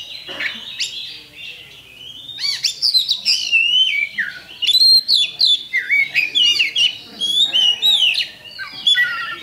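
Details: Oriental magpie-robin lure song from a champion kacer, used to trigger fighting: rapid varied medley of whistles, chattering bursts and upward-sweeping notes in quick succession.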